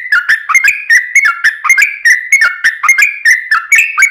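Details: Rapid-fire 'ropel' song of a yellow-vented bulbul, meant to lure other bulbuls into song: a continuous stream of short, gurgling two-part whistles, falling then rising, about four per second and evenly loud.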